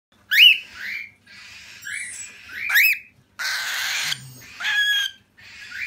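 A cockatiel gives rising, whistled chirps broken by a harsh, raspy screech.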